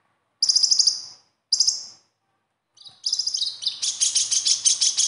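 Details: Konin sunbird besetan to make a caged bird sing more: two crisp high chip bursts, a pause, then a continuous busy stream of rapid, very high trills and twitters.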